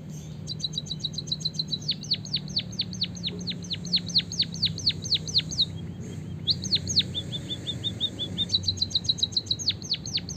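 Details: Singing white-headed munia from Java with a canary-style fill. Quick chirps run into a long sequence of loud, sharply falling whistled swoops, briefly interrupted, then resume with another fast trill and more swoops. A low hum runs underneath.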